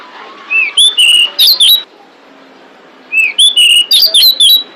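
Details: Female pied bushchat calling to attract males: two bursts of short, bright whistled notes, each opening with a rising slur and ending in clipped chirps, separated by a pause of about a second over a faint steady hum.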